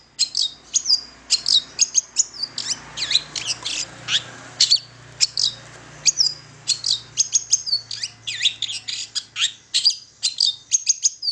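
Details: Long-tailed shrike in full song, played as a lure for young birds: a continuous, busy stream of high chips, squeaks and short whistles over a faint low hum.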